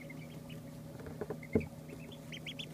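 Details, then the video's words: Two-day-old ducklings utter a few high, short peeps, building to louder upward chirps at the end, with a soft scratching thud in the middle and a low steady hum. "2 Day Old Ducklings"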